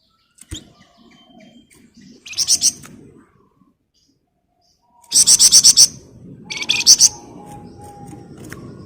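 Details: Flamboyan bird singing intensely: a short burst of high buzzy chips, a pause, then a loud rapid run of about seven sharp pulsed notes and a brief follow-up phrase, with a faint hum behind.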